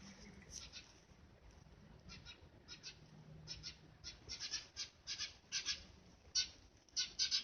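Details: Rescued Eurasian tree sparrow chick, found near death on a road and not yet fully feathered, startled on hearing bird voices for the first time; short harsh chirps start sparse, then quicken into loud bursts about once a second.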